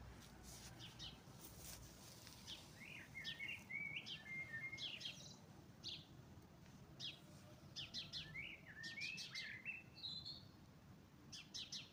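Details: Several birds sing together at spring dawn, mixing sharp high clicks and ticks with stepped whistled phrases repeated through the recording over a soft low background murmur.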